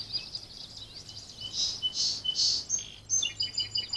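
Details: Wild birds singing at the edge of a small backyard woods in Virginia, captured by a trail camera on 4-24-2020: overlapping high thin chirps and twittering phrases from several birds, over a faint low steady hum.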